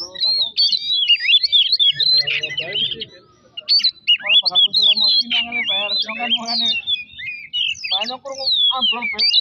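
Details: Lure recording of Oriental magpie-robin song meant to provoke another bird into singing: continuous rich whistled phrases, rising and falling quickly, with interspersed harsh rattling notes and low background sounds.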